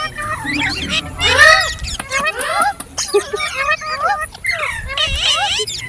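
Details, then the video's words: Chattering ringneck parrot giving talking, singing and funny sounds: bursts of wavy high squeaks and nasal notes with a short low murmur at the start and brief pauses between phrases. "Amazing Ringneck Parrot | Talking, Singing & Funny Sounds"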